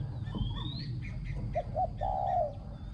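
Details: Spotted dove decoy in ground luring, its voice called small and ringing with excellent coos: two short low hoots followed by a long sustained coo, over a rumbling low background and faint whistles from other birds.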